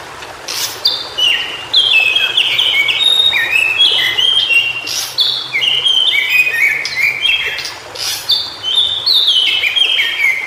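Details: White-browed shortwing (Brachypteryx montana) singing in its native habitat: a fast, tumbling series of clear, high whistled notes stepping up and down in pitch, with faint background forest noise.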